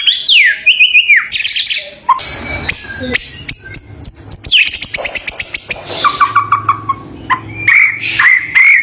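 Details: Champion White-rumped shama delivering a varied song: descending whistles, fast clicking trills, sharp chips and a run of repeated short notes, all high and loud.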